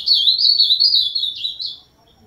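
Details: Ultramarine grosbeak singing a quick run of sweet, warbling whistles that drift slightly downward, ending with two higher slurred notes before fading to quiet.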